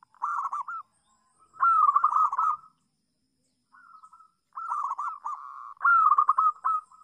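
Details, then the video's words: Local zebra dove with a melodious song, used to tutor doves that are still learning; repeated bursts of fast, rolling, bubbling coos at a steady pitch, broken by pauses, with a faint quiet phrase between. "PERKUTUT LOKAL SUARA MERDU - BAGUS BUAT AJARAN PERKUTUT YANG BELAJAR BUNYI"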